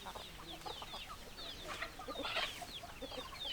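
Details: A flock of chickens gives rapid high downslurred peeps mixed with scattered short clucks, a louder burst of calls near the middle, many overlapping voices throughout.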